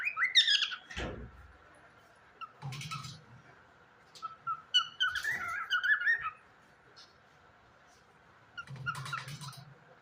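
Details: Pet cockatiel indoors giving short bright chirps and a brief warbling run of rising and falling notes, in scattered bursts separated by quiet gaps, over a steady electrical hum with occasional dull thumps and rustles.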